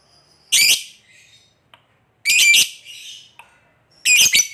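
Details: Lovebird calling to companions so they answer, giving three loud, harsh double squawks roughly one and a half seconds apart with quiet gaps between.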